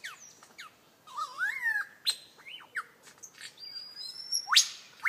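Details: A "beatboxing" lyrebird pours out a varied medley of sharp whistles, rising and falling slurs, clicks and sweeping chirps, each phrase different, with little else heard.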